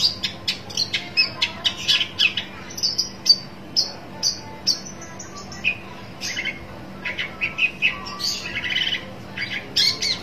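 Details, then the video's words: Long-tailed shrike in search of a rival, producing clipped scratchy notes in loose series, some quick and clustered, others spaced about half a second apart, with a low hum beneath. "burung pentet cari lawan"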